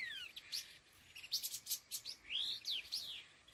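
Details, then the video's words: Laughingthrush, a pair calling: clear whistled notes sliding upward and downward, interspersed with short sharp chirps, over a faint hiss. "Âm Thanh Chim Khứu Lùn Đôi Hung Gọi Đằng"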